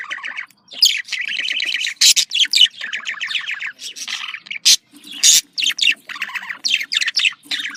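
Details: Budgerigar contact call chatter: fast rippling warbles of repeated chirpy notes, with loud sharp clicks between phrases and a faint low hum.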